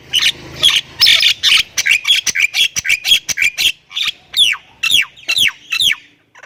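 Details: Chattering Javan myna from Thailand, a gacor full-isian singer, starting with harsh dense rasps, then giving a string of clear downward-sliding whistles spaced roughly half a second apart.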